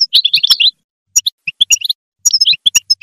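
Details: European goldfinch singing to spur other goldfinches on: short clusters of high chirps and twittered notes separated by gaps of about half a second, with occasional sharp ticks.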